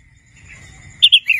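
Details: Brief bit of practice song from a young wild red-whiskered bulbul: two sharp chirps and a falling note at the very end, after quiet low rumble and a thin high whine.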